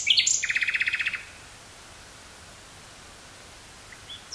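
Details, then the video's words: Nightingale in woods near Burgh-Haamstede, Netherlands, May 1983, cassette recording: a short fast buzzing trill of about a second, followed by quiet with a faint note near the end. "Nightingale singing near Burgh-Haamstede, NL"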